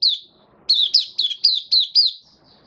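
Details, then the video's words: Caged white-eye (mata puteh) giving its opening song after completed regular deworming and health supplements, recorded 18 May 2022: a clear run of seven high, slurred descending whistles, closely spaced after a short lead-in note, with faint low background hum. "Mata Puteh Kitaro buka sing"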